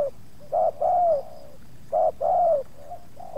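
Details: Spotted dove coo phrases at Subang as wild doves were lured in, the second wild bird resisting; two mellow sequences of a short note and a long descending coo, with softer notes trailing after.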